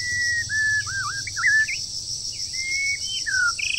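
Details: Wild bird in moult, singing hard during the breeding season: a run of level and wavy whistled notes, some looping up and down, a few quick upslurs, and a falling whistle near the end, with a constant high droning hiss behind.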